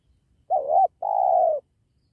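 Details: Spotted dove cooing while wild doves are lured during trapping beside a sacred tree: a wavering first note, a short pause, then one long, steady, slightly falling coo, all in a low, mellow pitch.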